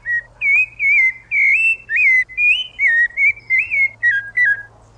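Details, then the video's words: Rufous-bellied thrush singing strongly, a string of rich whistled notes, some slurred upward and others falling, delivered in quick succession before ending on two short drops, with a low hum beneath. "CANTO FORTE DA SABIÁ LARANJEIRA"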